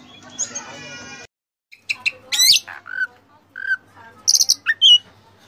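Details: Oriental magpie-robin in full-filler song: a long harmonic buzzy note, silence, then sharp chips, a noisy rasp, mellow whistled notes and a high buzzy burst.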